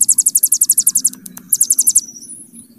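Hill prinia giving a very high, rapid trill of sharp ticking notes, about ten a second, then a pause and two thin whistles over a faint low hum.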